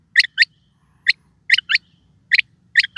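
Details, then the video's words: Quail call: loud, sharp, high notes delivered in doublets, with one single note between them, repeated about every half second over three seconds, with a faint low murmur beneath. "Dhoghla Batair Ki Awaz | Harlequin Quail Calling | King Quail Calling | Female Rain Quail Calling"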